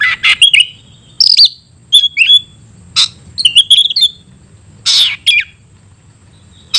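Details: Oriental magpie-robin, a caged songbird of the tayoraky variety, singing loud bursts of sharp whistled and scratchy notes separated by short pauses.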